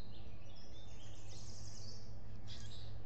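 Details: Osprey at a nest in the Finger Lakes region of the US, late May 2021, after losing her eggs; a nest camera catches bursts of shrill, quickly repeated whistled chirps, with a second burst near the end, above constant low rumbling noise.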